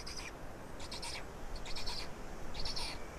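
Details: Feeding black storks, Estonia, 16.05.2019 at 12:47 midday: four groups of rasping, breathy high notes spread across about three seconds, uneven in spacing, against low rumbling background noise.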